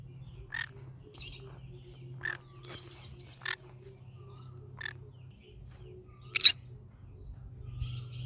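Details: Pet green-cheeked conure, yellow-sided, vocalizing in the morning: sharp broadband chirps and squawks at irregular intervals, one loud harsh burst near the end, a few soft whistled notes, low steady hum underneath.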